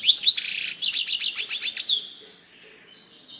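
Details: Dense, rapid twittering from a European goldfinch: high clear chirps run together into a fast tinkling phrase that fades into softer, drawn-out buzzy notes.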